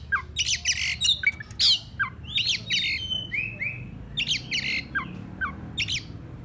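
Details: Oriental magpie-robin giving harsh, scratchy squawks and chatters mixed with a few clear, slurred whistles in quick uneven bursts over a low steady hum, an agitated call used to lure rival birds.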